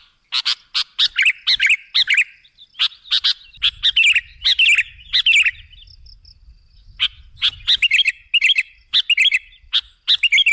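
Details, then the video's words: Sooty-headed bulbul sound used as a bird-attracting lure: bursts of quick, bright, twisting chirps in uneven runs, a quieter gap of about a second midway, then the chirping resumes, with faint low rumble underneath. "Suara burung KUTILANG jebakan pemikat"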